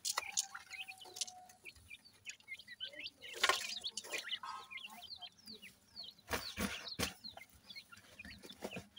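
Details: Grey francolin (teetar) chicks playing together: many short, thin, rising peeps repeated in quick irregular series, with occasional louder knocks and clatter.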